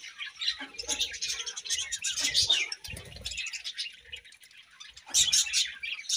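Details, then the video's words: Budgies in the morning give overlapping high chattering chirps and warbles, with a brief lull before another bright burst and some low rustling. "Budgies' Morning Chirping Sounds"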